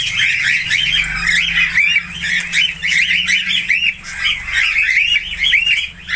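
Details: Budgerigar in sustained song: dense, bubbly chatter of quick looping chirps run together almost without a break, with a low hum in the background.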